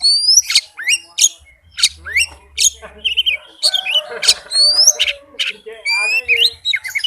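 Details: White-rumped shama in rapid, dense song used as a lure to get a reluctant shama singing: fast sequences of whistled upslurs and sharp chips with varied rich phrases, a low hum in the background.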